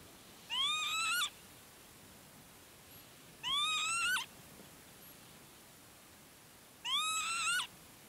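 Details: Northern Lapwing on an elevated patch of land at Herdla Bird Preserve, Norway, gives three wheezy, rising, slightly slurred calls, about one every three seconds, over a quiet background.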